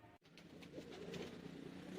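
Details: A pair of domestic pigeons; low, soft rolling coos begin after a brief dropout and continue as throaty murmurs, with background hum and noise.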